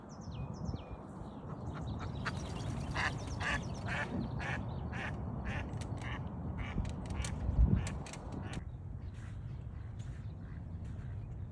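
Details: Wild mallard gives a run of harsh, nasal quacks, about two or three a second for six seconds, over a steady low rumble of wind or water.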